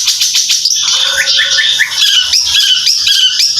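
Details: A bird kept in a cage for singing contests pours out a dense, continuous warble of high chirps and short rising whistles with hardly a pause, the phrases overlapping and varied throughout.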